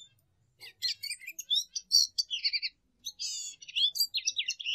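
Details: Lesser goldfinch singing a rapid, varied run of high chirps, buzzy trills and short whistled notes, delivered in two jumbled bursts separated by a brief pause, with a quiet background.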